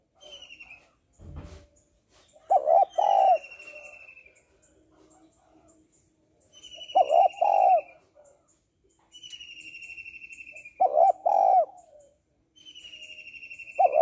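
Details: Calling female spotted dove used to stimulate males, giving paired loud throaty coos followed by softer trailing notes, repeated several times, while a thin high descending trill from another bird alternates, plus one brief thump.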